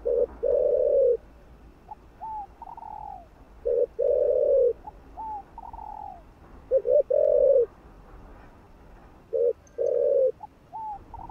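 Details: Spotted dove cooing to stimulate other doves to call: deep, hollow low coos alternating with softer, higher sliding notes, phrases repeated about every three seconds, in a quiet background.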